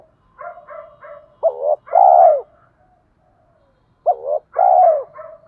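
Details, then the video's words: Spotted dove calling to lure wild doves into a fight: soft stuttered coos lead into a sharp double note and a long, falling, resonant coo, repeated twice. "cu gáy giọng thổ pha kích bổi trống nhanh gáy, bổi ngoài rùng nghe nhanh về cội đấu với mồi"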